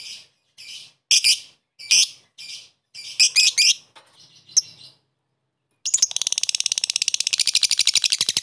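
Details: Lovebird used to provoke a rival into chattering: several harsh, scratchy separate notes first, a brief pause, then a dense rapid run of shrill chattering chips to the end.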